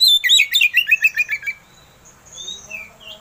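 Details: Oriental magpie-robin (kacer) provoking song: a rapid chattering series of harsh, descending notes about a second and a half long, followed by a few faint, thin whistles.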